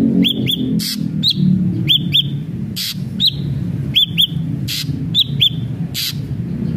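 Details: Lure song of an actively singing ashy drongo: pairs of hooked whistles with long thin tails, alternating with loud rasping bursts over a steady low rumble.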